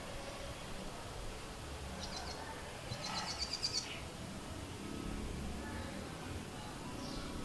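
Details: A house wren gives a brief burst of rapid, high, chattering notes lasting under a second, with a few faint single notes around it, over steady low background rumble.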